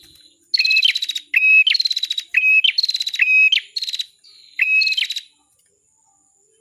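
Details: Bar-winged prinia, known locally as cimblek kepala merah, gives its song as a masteran tutor recording. Four or five bursts of shrill buzzy trills come with clear high whistles and are separated by short gaps. A faint thin tone is heard between bursts.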